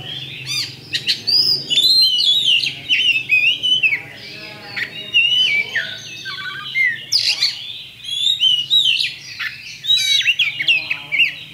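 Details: Kacer (Oriental magpie-robin) champion singing a 'pancingan' to goad rivals into fighting: long, energetic medley of rich whistles, fast chattering notes and sharp clicks in rapid bursts with brief gaps.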